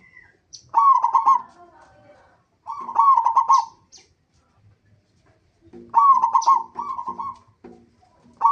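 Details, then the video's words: Local zebra dove singing as a lure to prompt other zebra doves to sing: bursts of rapid, trilled, staccato cooing notes at a mid pitch, in phrases about a second long, separated by quiet gaps of one to three seconds. "pancingan perkutut lokal gacor AMPUH pandai BIKIN semua BURUNG PERKUTUT GACOR RAJIN BUNYI"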